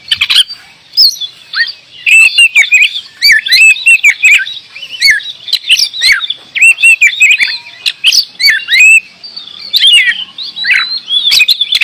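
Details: Oriental magpie-robin, called kacer, in full song: loud, varied whistled phrases with looping slurs and rapid clicking notes, delivered in energetic bursts with brief gaps.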